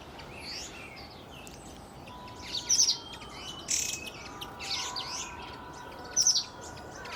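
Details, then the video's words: Black bulbul (Hypsipetes leucocephalus) giving short, bright, chattering notes in scattered bursts, mostly high-pitched, with a few longer whistled tones beneath and a steady outdoor hiss. "Black Bulbul，（Hypsipetes leucocephalus），黑短脚鹎。"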